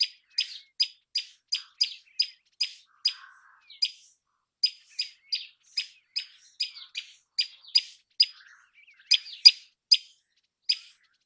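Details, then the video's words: Common tailorbird song made of loud, piercing notes repeated steadily about three times a second for over ten seconds, each note short and emphatic, with a quiet pause near the middle and a clean, quiet background. "Common Tailorbird Call ! Common Tailorbird Sound ! Common Tailorbird Song"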